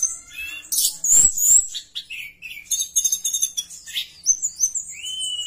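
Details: Energetic Javan bush lark song used to set other bush larks singing: loud harsh bursts and slurred high whistles, then varied chirps and a final long rising whistled note.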